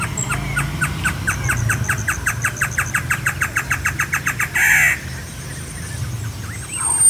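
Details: Great antshrike song: a long series of short, hollow notes running about four and a half seconds and speeding up, then ending in a brief harsh, snarling burst. A steady low hum and faint higher bird notes sit underneath.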